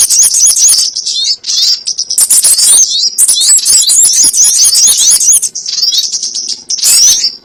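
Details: Crimson sunbird calls used to lure birds into traps: rapid, very high twittering and glittering trills in long dense runs, with short gaps near the start and end.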